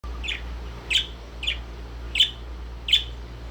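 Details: Pet Indian ringneck parakeet indoors giving short sharp high chirps, about five evenly spaced calls roughly every half to three-quarters of a second, over a low steady hum.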